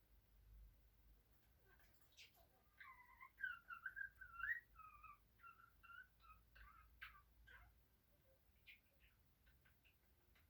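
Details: Pet talking budgerigar mimicking Turkish words such as 'annecik', 'babacik' and 'öpücük' and imitating a mother's cough; rapid warbled, buzzy chattering phrases over about five seconds, broken by sharp clicks, then scattered ticks in a quiet indoor setting.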